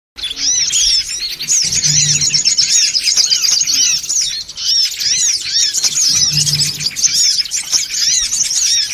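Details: Songon otong birds in a noisy call used as a lure to draw birds in. A dense chorus of high, overlapping chirps and arched twittering notes runs continuously, with a faint low hum pulsing twice in the background.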